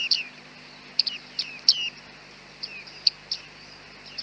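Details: On a very foggy day, bearded reedlings give clear, high, twanging ping calls with downward slurs, spaced unevenly, some doubled. Recorded with a Panasonic G9 and 100-400 lens.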